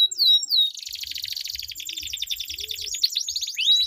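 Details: Two canaries duel with a long rolled song meant to coax stalled canaries into singing: a couple of clear whistled slurs, then a long rapid buzzing trill with sharp chips over it.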